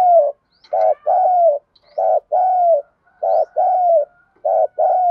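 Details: Spotted dove female used as a decoy, calling to excite and draw in males. Four evenly spaced phrases of deep, resonant cooing, a clipped opening note followed by a longer, downward-sliding coo, with a clean, quiet background.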